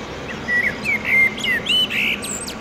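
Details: Common blackbird, a male singing at sunset from near a railway footbridge in Oradea to hold territory: a run of short fluted whistles, rising and falling, closing in higher squeaky twittering notes.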